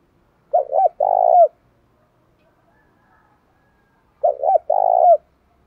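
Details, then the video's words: Spotted dove cooing, used to provoke fighting and to train decoy birds. A low, mellow phrase of two quick hooting notes and a longer dropping coo comes twice, about four seconds apart, with silence between. "chim cu gáy thúc đấu. tiếng chim cu gáy kích bổi và tập mồi tập bổi"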